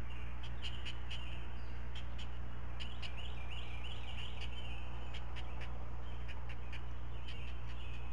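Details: Great blue heron nest with four chicks being fed breakfast, a parent regurgitating fish one at a time; rapid ticking clicks and wavering chatter in bursts, constant low mechanical hum beneath.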